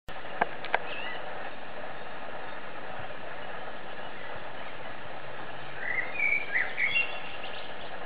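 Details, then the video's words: A male Eurasian blackbird perched on a branch sings a short burst of mellow, fluty warbled notes near the end, over a steady low wind-like rumble, with two sharp knocks early on. "Śpiew kosa. singing blackbird"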